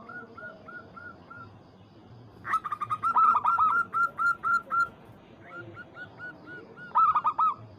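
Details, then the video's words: Local Zebra Dove, crossed with Bangkok stock, calling a rival in anggungan style: a row of soft, evenly spaced coos, then a loud, rolling burst of rapid bouncy notes lasting over two seconds, more gentle coos, and a final loud flourish. "PERKUTUT Lokal MEMANGGIL LAWAN"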